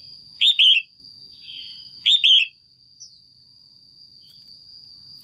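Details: Caged female red-whiskered bulbul, calling to excite a male or to pair. Two ringing double-note chirps come about one and a half seconds apart, with a soft warble between them, over a thin steady whine.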